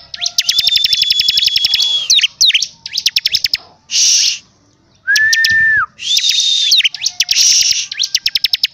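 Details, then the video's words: Bar-winged prinia singing steadily: long rapid trains of high ticks overlaid with a sustained thin whistle, buzzy rasps, and a clear lower held whistle, repeated in lively sequence. "CIBLEK GACOR DORRRR!!!"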